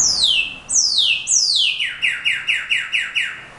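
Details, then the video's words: Brown-backed solitaire song: three loud falling whistled glides, then about eight evenly spaced, ringing descending notes, each sliding down sharply, clear against a quiet background. "myadestes unicolor (clarin)"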